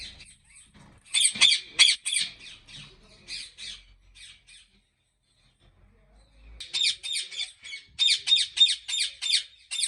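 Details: Ringneck parrots at a breeding farm in Pakistan give rapid runs of sharp, grating squawks, a quieter pause in the middle, then a long fast series of evenly spaced screeches.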